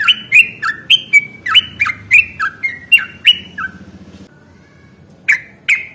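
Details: Fighting yellow-vented bulbul, in a long rapid song meant to draw other birds into replying, pours out quick whistled chirps that dip and rise, breaks off after about four seconds, then returns with two more notes.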